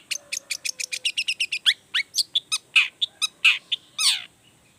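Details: Long-tailed shrike singing hard to goad rival shrikes into replying. A fast string of short clipped notes gives way to louder whistled slurs and one long harsh rasp near the end.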